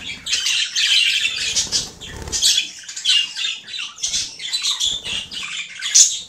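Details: Budgerigars make mating and courtship sounds, chattering in a fast, scratchy warble of chirps and squawks.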